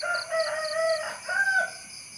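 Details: A rooster crows loudly and tonally, holding a long, level middle phrase, then ends with a brief, slightly rising final syllable. Faint high chirps pulse repeatedly underneath.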